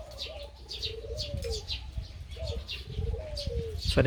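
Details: A crossbred dove with a big voice and two-to-three 'kuk' karam song gives soft low coos that slide downward, partly masked by rumbling noise and quick high chirps from other birds.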